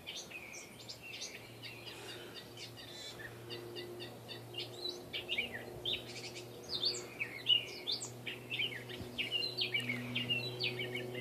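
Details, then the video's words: Catbird concealed among backyard trees in Saskatoon, a steel-coloured visitor rarely seen this far north, giving a dense, tumbling medley of scratchy chirps, squeaks and whistled notes that grows busier and louder toward the end over steady low hum. "Audio of a "cat bird" in my backyard in Saskatoon."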